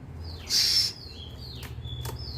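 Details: Oriental magpie-robin, a mother calling outside while her chick makes noise indoors; a loud harsh burst near the start, then thin whistled notes, some sliding downward, with a low hum underneath.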